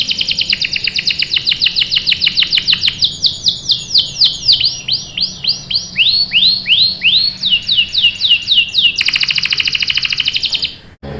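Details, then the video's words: Canary song used as a lure to get young canaries singing: long runs of fast, high, repeated downward-sweeping notes, roughly three per second, shifting into a quicker rolling trill near the end. "PANCINGAN KENARI GACOR CUIT CUIT memancing kenari paud ikut BUNYI | CANARY SINGING"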